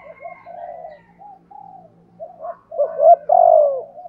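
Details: Spotted dove decoy bird cooing, thúc gù style in giọng thổ voice. Soft, distant-sounding coos at first, then louder, fuller coos toward the end, with a faint high tone early on.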